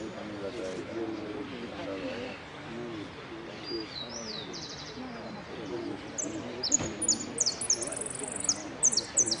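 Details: Contest finch, third place in the 'sin cierre' category at Merlo on 3 December 2017, sings quick high chipping and trilled notes in the second half, while people talk loudly through the whole recording.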